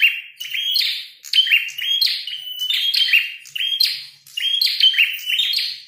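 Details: Prinia with a red head in a fight, singing vigorously: bright sustained whistle followed by harsh buzzy trills, phrases repeating about every second over nearly six seconds.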